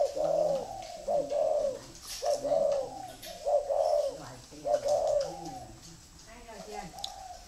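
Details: Spotted dove, a red-eyed bird of the local "thổ" song style, cooing in a series of low, hoarse, slightly wavering phrases, each about a second long with short gaps, some faint clicks and shuffling behind.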